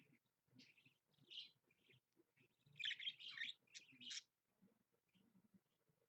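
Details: Budgerigar, a pet parakeet streamed live at 7 a.m., giving soft low chatter that swells mid-clip into a loud scratchy warbling burst before fading to quiet murmurs.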